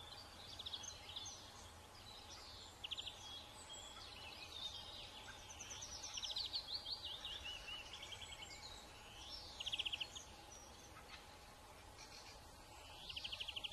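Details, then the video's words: A song thrush in springtime nesting season sings bright, varied phrases, several given as quick repeated note bursts, over a steady low hum and faint background birdsong. "Springtime Serenade: Song Thrush"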